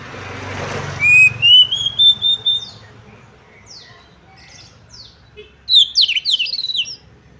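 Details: Female Oriental magpie-robin calling to stir males into aggressive display: a noisy start, then a rising run of about six whistled notes, followed after a pause by faint chirps and a burst of sharp tweeting notes from other birds.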